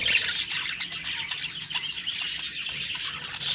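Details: Morning budgie chirping, a busy layered twitter of short, high, warbling notes with no pauses.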